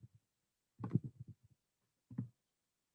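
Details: Low, muffled thumps and rumbles in two short bursts, like handling noise or distant knocking, with no animal voice heard.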